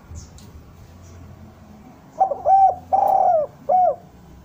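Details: Spotted dove cooing, offered as a lure to bring doves down: after quiet, a phrase of a quick note, a looped double coo, a long falling coo and a final short coo, low and mellow.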